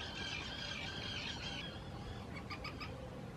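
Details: Common terns at a protected nesting site in Hula Nature Reserve, Israel, in spring 2018, calling noisily during courtship while claiming preferred nesting areas on islands built for them: harsh, grating rasps, then a quick run of short clipped notes over steady low rumble.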